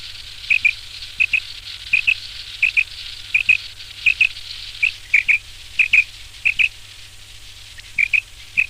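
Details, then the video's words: Quail singing at night: short, sharp doubled notes repeated steadily about every two-thirds of a second, over a constant background hiss and low hum. "Night Batair Song / رات کے ٹائم بٹیر کی آواز / Raat ko Batair ki vice / Amaizing Quil Song"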